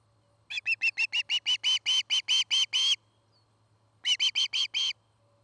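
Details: Nesting osprey pair in Charlo, Montana, on a nest camera during an afternoon; the birds are building a nest and mating. Rapid repeated whistled yelps that lengthen and strengthen, a pause, then a shorter burst of five, with a constant background hum.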